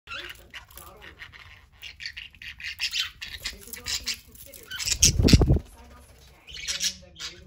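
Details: Parakeets, including a small peach-coloured one, playing together, chatter in quick, scratchy chirps and squawks, irregular and overlapping, with a dull thump midway and a faint background hum.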